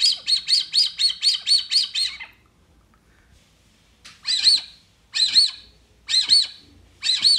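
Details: Brazilian teal, known locally as marreca ananaí or pé-vermelho, in a recording played back to attract the bird: a run of about nine quick, high, nasal notes, then a pause, then spaced pairs of sharp, squeaky notes.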